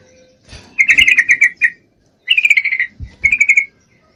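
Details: Female Yellow-vented Bulbul in breeding condition calls a male with three rapid, buzzy chattering phrases, the first the longest, separated by brief pauses, with soft low knocks in between.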